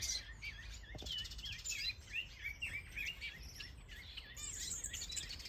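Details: Many bird species in a large planted aviary in Denmark, including finches, canaries, goldfinches, Gouldian finches and Java sparrows, several breeding with eggs or chicks. Overlapping wavy chirps and twittering trills repeat rapidly throughout over a low background rumble.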